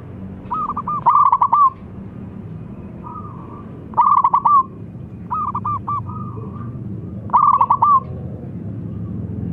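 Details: Zebra dove, local Indonesian bird, calling loudly so others answer: four loud bursts of rapid stuttering coos, each ending in a drawn note, roughly every three seconds, with softer similar phrases between them and low background rumble.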